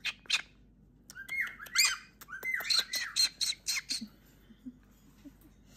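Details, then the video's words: A pet galah, a talking parrot, gives a rapid burst of harsh, grating screeches, some sliding upward, about two a second, upset by a fly indoors in summer, before a person's low voice murmurs. "Parrot freaks out over fly"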